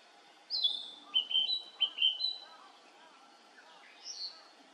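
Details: Male Narcissus flycatcher song: a high whistled opening note, then a quick series of short, slurred, descending whistles about one a second apart, with a final high note after a pause and a low background hum.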